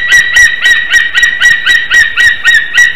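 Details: Nesting white-tailed eagle in Slītere, Latvia, calling during mating on 26 February 2021, about 8:41 am; clear, high, ringing yelps delivered in a quick, steady rhythm of around four per second.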